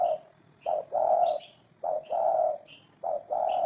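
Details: Close spotted dove voice: a short coo followed by a longer, rolling one, repeated three times, with small bird chirps sliding down between phrases.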